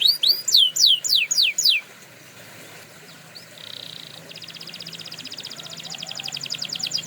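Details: Canary singing for training: a burst of swooping downslurred notes, a short pause, a steady whistled note, then a long rapid rattling trill until the end.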